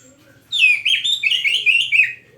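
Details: Oriental magpie-robin in lively song: a continuous loud run of rich, rapidly varied warbled and slurred whistles lasting well over a second, with a low hum behind it.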